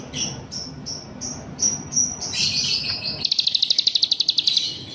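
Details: Singing grey-bellied bulbul trained with cicilin song: a row of short high whistles falling slightly, a buzzy passage, then a rapid steady trill of about fifteen sharp high notes.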